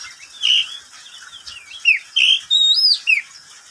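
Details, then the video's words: Midday song of a pet oriental magpie-robin in a cage: a few rich whistled notes, some level, some sliding down, with a high ringing phrase near the end over light hiss. "Suara burung Kacer di siang hari"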